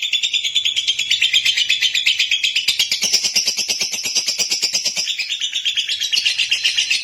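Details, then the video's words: Lovebird singing clearly at length: continuous high, harsh twittering chatter of quickly repeated notes, about three per second, evenly paced with no other sounds present. "Love bird jernih durasi panjang"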